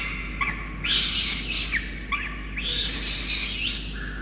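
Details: Peregrine falcon chick in Orange, New South Wales, begging while soaked parents feed it a starling on 5 November 2021; two long harsh screeching bouts with short descending slurred notes between them.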